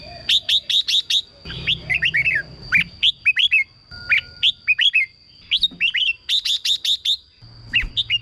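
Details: Song of a caged red-whiskered bulbul, played to excite caged birds or as a decoy: quick runs of sharp clicking notes followed by fluty, slurred chirps in brisk phrases, with a steady high-pitched hum underneath.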